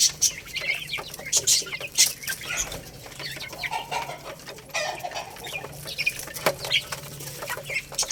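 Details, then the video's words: Young Lohmann Brown chickens, a little rooster and a baby hen, eating rice: short high chirps scattered among dense, rapid clicking and tapping from pecking at grain, with a faint low hum underneath. "Growing Little Rooster and Baby Hen Eating Rice | Chicks Chirping Sounds"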